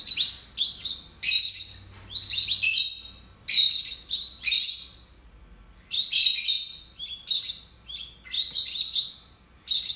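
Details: Two pet lovebirds chatter in shrill, harsh bursts of high squeaky chirps, one or two seconds long, separated by brief pauses; no other sounds are heard.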